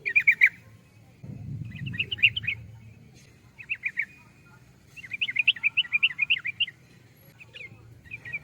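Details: Yellow-vented bulbul giving repeated phrases of fast, bubbling, chattery notes, the longest run near the middle, with quiet gaps between phrases and a soft low rumble early on.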